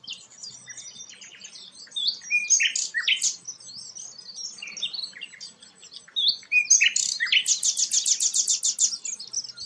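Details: Sikatan londo flycatcher, described as a rare bird, singing a varied, fast high-pitched song of twittering notes and sweeping whistles, ending in a loud rapid series of sharp repeated chips.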